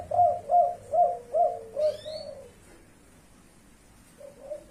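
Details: Spotted dove of the blorok leopart variety giving a kuk 5 style call: a run of five low, rounded coos about a third of a second apart, fading at the end, then a softer coo pair after a pause.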